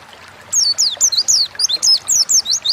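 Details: Pleci song in gacor ngalas style, used as a prompting recording: a brisk series of high, bright, descending slurred notes, roughly five per second, starting after a short quiet lead-in.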